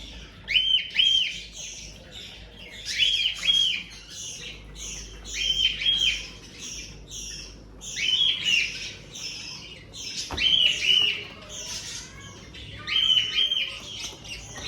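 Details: Captive-bred cockatiel chicks give harsh, raspy begging calls in bursts roughly every two and a half seconds; recorded 5 June 2025.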